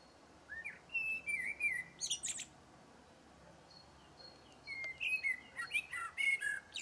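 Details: Blackbird sings two strophes, each opening with smooth flute-like warbles and closing in rapid shrill twittering, separated by a pause of about two seconds.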